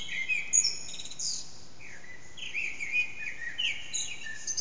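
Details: Eurasian blackbird at about 4:30am, unseen, its song echoing round a backyard on an HTC Desire recording: high trilled chirps open, then smooth downslurred and upswept fluty whistles, phrase after phrase.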